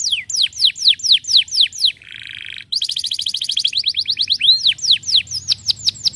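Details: Canary in nonstop song: rapid series of high, down-slurred whistled notes repeated about twice a second, a brief buzzy rattle, then a fast trill of sliding notes; low hum in the background.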